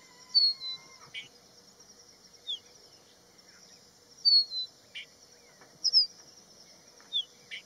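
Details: Crested bunting calling at Haidakhan Road: sharp, high, descending slurred notes and short chips repeated every second or two, with a constant piercing insect drone and a faint lower whistled note early on.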